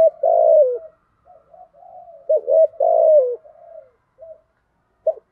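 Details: Spotted dove cooing for luring wild doves, 'thổ thúc' style. Two full phrases about 2.5 seconds apart, each a clipped lead-in and a strong falling coo, with soft rolling murmurs between them.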